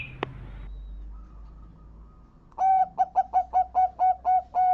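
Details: After a quiet start, a zebra dove heard as a lure for attracting birds gives eight rhythmic, staccato coos on an even mid pitch, each note rounded and evenly spaced.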